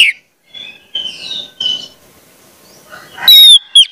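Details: Orange-headed thrush singing, used as a training recording for young birds; quiet scattered whistles, then a loud, clear, slightly descending whistled note and a short final whistle.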